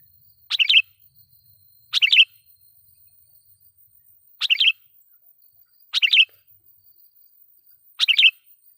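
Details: Loud lure song of a vigorously singing sooty-headed bulbul, used to agitate wild bulbuls and call in rivals: five short bubbly, chirping phrases roughly every one and a half seconds, with silence between them.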